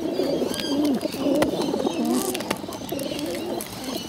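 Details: Bottle-fed pigeons, hungry, beg with rapid wavering squeaky notes that dip and rise, strung together in short bursts over a few seconds, plus a couple of sharp clicks.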